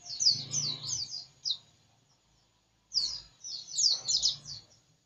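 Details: White-eye singing hard, two bursts of rapid high twittering notes, each about a second and a half long, separated by a pause, with faint low background hum.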